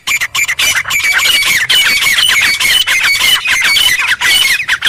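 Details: Jungle recording of wild Grey francolin: dense, overlapping harsh calls form a near-continuous shrill, scratchy racket for the full five seconds.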